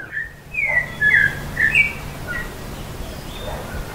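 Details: Mockingbirds (cenzontles) recorded in Berriozábal, Chiapas, Mexico, giving a string of varied whistled and slurred phrases, several different notes in quick succession, over a steady low background hum.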